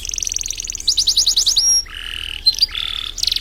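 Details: Canary singing briskly as a master song for bird training: a high fine trill, a run of rapid repeated sweeping notes, a pure thin whistle, then lower buzzy rattles.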